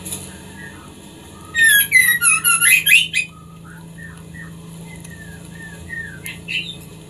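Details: Female white-rumped shama singing to stimulate a male into breeding condition; a loud burst of rapid high chattering notes, then scattered soft whistles and a short closing flourish, over a low steady hum.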